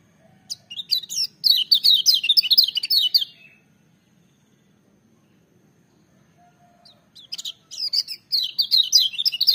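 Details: Lemon-bellied white-eye (kecial kuning) delivering loud, shrill song in two bouts: rapid high chattering and slurred whistles for nearly three seconds, a quiet gap of about three seconds, then another fast twittering burst.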